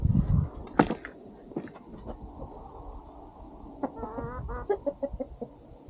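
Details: Chickens and rooster on a farm at sunset as a dog eats its meal; loud thumps and scattered knocks early, then a quick run of wavering harmonic clucks and several sharp separate clucks near the end.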